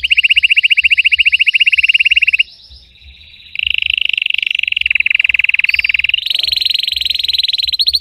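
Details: Red Belgian canary singing strongly with a deep, intense throat for training: long rapid buzzy trills at steady pitch, a brief pause, then further fast rolling trills shifting higher, with faint low thumps underneath.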